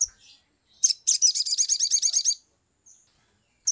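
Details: Excited Sumatran leafbird, original sound used as a lure to prompt singing: a short high note, then a fast run of about ten bright, slurred chirps in just over a second, followed by a thin whistle and one final sharp note.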